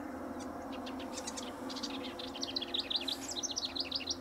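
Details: House wren singing incessantly near a riparian area at Linscomb W.A., a rapid, bubbly cascade of high chattering notes growing louder and busier toward the end, over a steady low hum; a white-eyed vireo vocalizes in the background.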